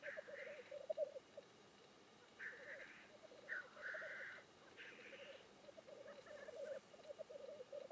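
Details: Black grouse displaying at a lek: a steady, low bubbling coo runs throughout, broken by several loud, harsh hissing sneezes at about one to two seconds apart near the middle.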